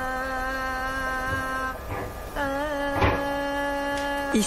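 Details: Sustained droning tones with many overtones, like humming or an instrument, shifting pitch around two and a half seconds, with brief voice-like bursts and a short glide at the end; no animal sounds are heard.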